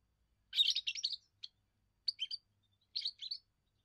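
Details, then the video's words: First song of a young European goldfinch, used to mark territory and attract females: a loud twittering phrase followed by two shorter tinkling phrases at roughly one-second gaps, over silence. "first song of a young goldfinch amazing wonderful singing"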